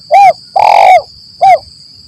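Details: Lure call of a spotted dove, lambung Kuk 1 Mersik style, for trapping in forest: a loud three-part phrase, short hollow coo, longer burry coo, short coo, about two seconds, with faint background hiss.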